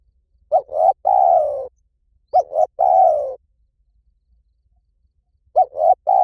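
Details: Repeated 'liu tan' style phrases from a spotted dove, used to lure doves into answering. Three phrases, each a short note, a swelling coo and a long falling coo, with the last phrase cut short.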